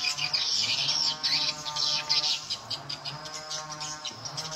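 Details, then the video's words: Swiftlet attraction sound for edible-nest swiftlets, volume at nine o'clock: rapid, high, scratchy chirps packed close together, loudest in the first half and then thinning, with a low steady hum beneath. "RESPON SP TRIPEL QUEEN"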